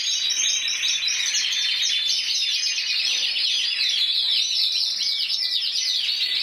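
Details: Single intense yellow canary, 94-point champion of Spain in 2014, singing steady high warbling trills in a dense, unbroken flow, shifting between smooth rolls and choppier bursts.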